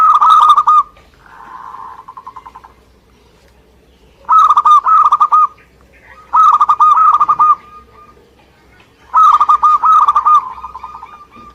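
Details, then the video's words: Local Indonesian zebra dove (perkutut) in lively song: a cooing burst followed by a softer purring trill, then three loud phrases of fast, stuttered coos roughly two to three seconds apart, with a low rumble underneath. "Suara Gacor perkutut lokal"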